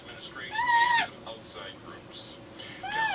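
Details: Attention-seeking house parrot imitating a cat while food is being cooked, though it has never lived with one: one clear, bowed meow-like note, then soft chatter and a second rising-falling mew at the end.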